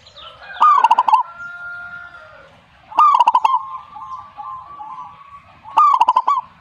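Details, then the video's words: Perkutut, the zebra dove, replying in song as a sign of a good bird: three rolling cooing phrases, each a lifting coo dissolving into fast pulsed beats, repeated roughly every two and a half seconds. "suhu perkutut jika nyaut Burungmu bagus berarti"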